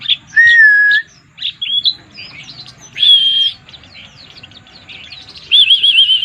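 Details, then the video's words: White-eye song in the pleci mabuk (drunk) style: a mix of quick high chirps, short rising twitters and a falling whistle, then long steady whistled notes, one ending in a rapid warbled wobble. A faint low hum runs underneath. "burung pleci mabuk"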